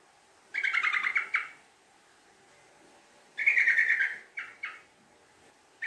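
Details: Yellow-vented bulbul in a long, fast, lively chattering 'ngekek' lure song. Two bursts of rapid, bright, rattling notes roll quickly into each other, about a second each, separated by a pause.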